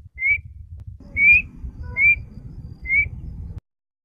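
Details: Black-winged (black-shouldered) kite giving a call made only in the breeding season: four thin, high whistled notes, each slightly rising, spaced about a second apart, over a faint low rumble.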